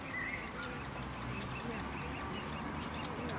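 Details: In a beech-tree nest in a city park in Leeuwarden, three great spotted woodpecker nestlings keep up a high, scratchy chatter of about four bursts a second while both parents fly in and out to feed them, over a low rumble.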